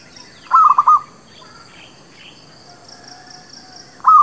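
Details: Zebra dove lure call for trapping: one clear phrase of quick staccato coos, then quiet with faint scattered chirps, and a further phrase starting at the very end.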